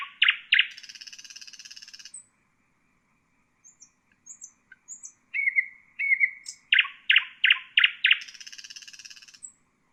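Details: Nightingale song recorded for tutoring bulbuls: loud notes leading into a long buzzy rattle, a quiet gap with soft high notes, then repeated strong notes and a second extended rattle.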